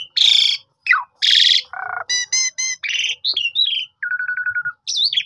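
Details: Asian pied starling, recorded on a phone camera, singing to prompt other silent starlings to sing: a varied string of harsh rasping bursts, a falling whistle, buzzy stacked notes, sliding whistles and a level trilled note.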